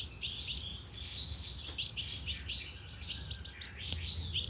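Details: Sunbird lure call for a speaker trap, with a few loud high chips, a thin sustained whistle-like note, then a fast sequence of sharp ticking chips.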